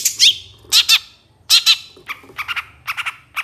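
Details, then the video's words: Long-tailed shrike master recording for training songbirds: loud harsh squawking bursts in pairs, then a run of shorter, softer clipped notes repeated about every half second over a faint low hum. "Masteran Suara Cendet"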